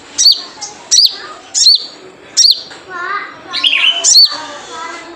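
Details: Sogon, a wild sunbird, with its characteristic call used to lure and stir kept birds into song: five quick high slurred chirps about every half second to second, a faint lower voice briefly underneath.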